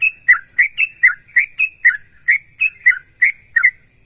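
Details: Sooty-headed bulbul in lively song meant to set other bulbuls singing too: quick chain of clear whistled notes with a bubbling drop, about three a second for four seconds, quiet background.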